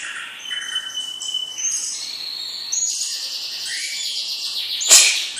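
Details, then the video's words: Young champion-bloodline white-rumped shama giving thin, high sustained whistles and trilled notes, quieter than the background hiss, ending with a sharp high burst. "Murai Batu Bibit Trah Juara"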